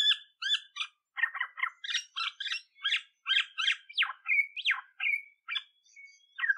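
An Olive-backed Oriole gives a quick, varied run of rich, slightly harsh notes and slurred whistles, about two or three each second, with nothing else heard.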